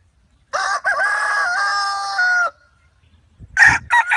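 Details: Free-range rooster on a farm crowing a clear, tonal cock-a-doodle-doo: a stuttered start then a long, steady, slightly wavering note about two seconds long, followed by short clucking bursts.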